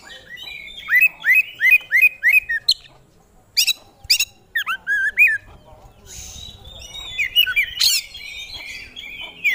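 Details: Oriental magpie-robin kept by bird hobbyists, in full song unloading its fill-in repertoire. A downslurred whistle repeats five times in steady rhythm, then varied sweeps and a sharp crack lead into rambling warbling.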